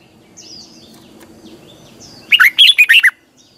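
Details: Red-whiskered bulbul in a double twisted-voice morning song for caged-bird training: faint gliding whistles first, then one loud burst of five or six quick, twisting, liquid notes.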